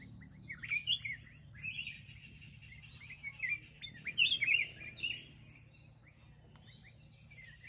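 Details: Black-crested bulbul singing repeated short warbled bursts, bright and slurred, in irregular clusters, with quieter gaps and a low background murmur.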